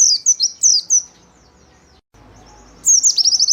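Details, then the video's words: High-pitched white-eye chatter, used to stimulate and tutor pet white-eyes: a series of quick descending chirps, a short silence, then a rapid buzzy trill of slurred notes. "SUARA PLECI GACOR SANGAT COCOK DAN AMPUH UNTUK PANCINGAN MASTERAN BURUNG PLECI"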